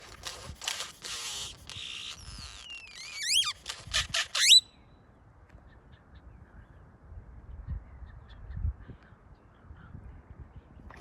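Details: Great-tailed grackle calling: harsh broadband rattling bursts, then quick rising whistled slides and sharp squeaky notes packed into the first four and a half seconds. After that only quiet background with faint low rumbles.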